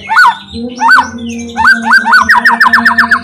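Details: White-rumped shama song used to make other shamas sing: arched whistled notes repeated, then a fast run of about ten quick descending notes, with a faint hum behind.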